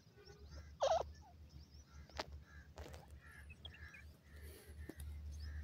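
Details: A francolin (gora teetar / Irani teetar) gives one loud, harsh, wavering call near the start, then only a few faint clicks and scrapes over a steady low hum.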